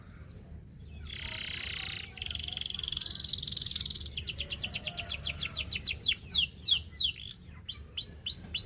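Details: Canary singing for training: a single upslurred note, a buzzy hissing stretch, then a long fast rolling trill that breaks into loud sweeping downslurred whistles repeated in a quickening series.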